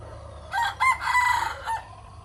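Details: A rooster kept as a decoy bird crows in the morning: a hoarse, harmonic cock-a-doodle-doo in three parts, a short opening note, a longer sustained middle section and a brief falling end, over a low background rumble.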